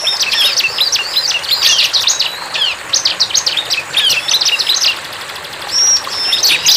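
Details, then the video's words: Bar-winged prinia singing energetically in the wild: rapid, high, dense chattering of sharp chirps and short trills, broken by brief pauses, with a few drawn-out whistled notes near the end. "CIBLEK GACOR"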